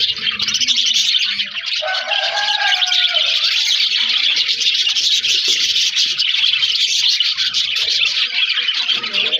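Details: An aviary colony of budgerigars fills the air with continuous, dense, high-pitched chattering and twittering. Many birds call at once, with a brief clearer whistled phrase early on and no pauses.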